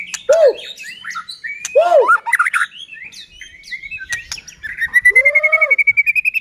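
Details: White-rumped shama song used to make other shamas sing: low rich swooping notes alternate with clusters of quick high whistles, then a long rising trill of fast repeated notes at the end.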